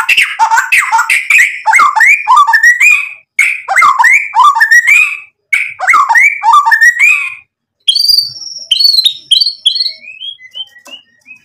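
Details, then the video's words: White-rumped shama (murai batu) singing gacor to provoke rivals into answering: rich, varied warbled phrases in three bursts separated by short pauses, ending with a series of thin, high, upward-flicked notes. "MURAI BATU GACOR buat PANCINGAN agar BUNYI NYAUT emosi BONGKAR MATERI ISIAN | SHAMA BIRD"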